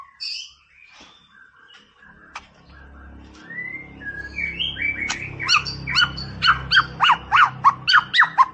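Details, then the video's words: White-rumped shama singing in a lively way, meant to stir up a rival: a few scattered whistles and clicks, then a run of sharp, rapid chipping notes, about four per second, over a low steady hum. "MASTERAN MURAI BATU GACOR"BOOMERANG "COCOK BUAT NAIKIN EMOSI LAWAN"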